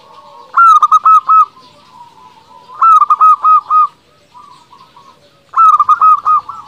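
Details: Local zebra dove song used as a lure to excite rivals and make them answer: three bursts of rapid, mellow, rolling coos, about two and a half seconds apart, with quieter coos between.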